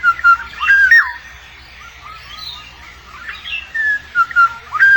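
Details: Black-naped oriole in the chick-rearing period: rich whistled phrases with swooping, looping notes at the start, a quieter middle with scattered soft notes, then the fluting whistles resume near the end.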